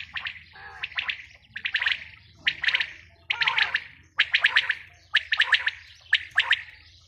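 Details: Female quail giving a run of scratchy, clustered chirping bursts, roughly one per second, seven groups in all, over faint low hum.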